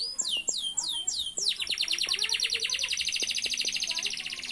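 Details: Canary in full song: a few slow downward-swooping whistles, then a long rapid trill of fast descending notes, bright and high-pitched, with faint low clicks beneath.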